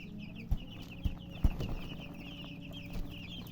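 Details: A flock of baby chicks peeping continuously in short, high, falling notes, with a few dull knocks and thumps nearby and a low steady hum underneath.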